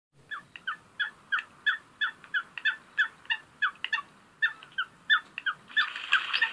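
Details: Coot calling, a lake and river bird, giving short sharp nasal notes repeated about three times a second in a steady series, ending in a denser burst of overlapping harsh calls.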